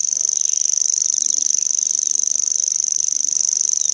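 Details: Grasshopper warbler (Locustella naevia) giving its steady mechanical reel, a rapid high ticking trill like a cricket that runs unbroken and level throughout.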